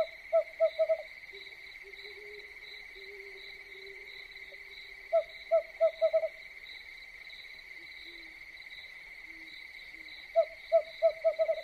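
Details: Owl calling at night, three bursts of about five quick, low, evenly spaced hoots separated by pauses, over a constant high-pitched chorus of crickets.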